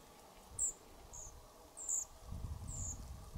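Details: Young European pied flycatchers about to leave their nest box at a cabin: four brief high piping notes at uneven intervals, followed by low rumbling handling noise in the second half.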